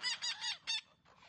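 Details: Green parrot giving four loud, rasping, honk-like squawks in quick succession, the last one fainter and falling.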